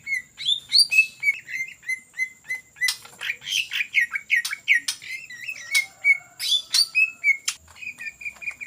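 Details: Lure recording of a greater green leafbird in vigorous ngetrok song: loud, quick whistled phrases that alternate steady notes with wavering, warbled runs, punctuated by crisp clicks.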